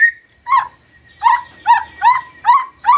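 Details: Magpie-robin song at morning, used to prompt a quiet bird to answer: a short whistle, then six repeated rich, slightly falling notes about every half second.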